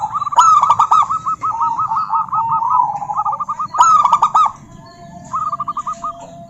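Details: Female zebra dove of a local strain calling a rival: two bouts of sharp clipped notes each flowing into rapid rolling staccato coos, then a short closing trill, over low rumbling hum.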